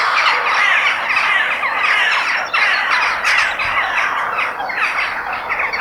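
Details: Crows calling outdoors in nature, a continuous wall of rasping, overlapping squawks that drifts in loudness without pause.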